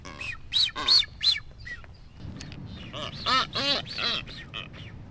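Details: Blue-footed boobies in courtship dance among several nesting pairs on North Seymour Island, Galápagos, Ecuador: three high whistled notes, then a run of rough, harmonic honking calls, over low rumbling wind.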